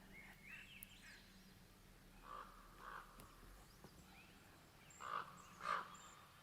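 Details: Crows in lush summer forest at Alert Bay Ecological Reserve (Gator Gardens), British Columbia, give four harsh, hoarse caws in two loose pairs, with faint thin high calls of other birds and a low steady hum behind.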